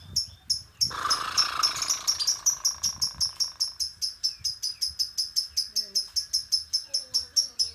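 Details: Lovebird calling to bring birds into breeding condition ahead of a contest: a fast, steady string of sharp high chirps, roughly two to three a second, over a brief lower buzzy rasp near the start.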